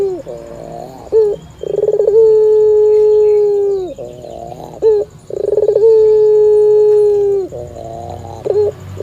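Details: Sweet-voiced Barbary dove, a cat listening nearby, repeats a low song about every four seconds: a rolling, pulsed purr followed by a long, steady coo that drops away at the end, with faint background hum.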